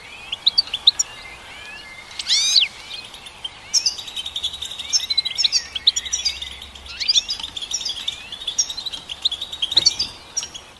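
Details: Goldfinch song: rapid twittering and tinkling notes with buzzy slurred phrases, clustered high and bursting irregularly over a steady low hiss.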